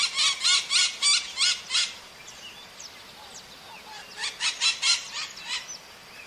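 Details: Maritaca parakeets in the wild: bursts of raspy, screeching squawks, several quickly repeated notes, a brief quieter gap, then a second rapid run of harsh calls.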